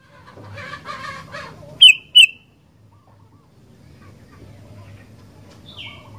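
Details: Sooty-headed bulbul in active song: a pair of crisp downslurred chirps in the middle, after a burst of harsher lower chatter, followed by a faint distant note and low background hum.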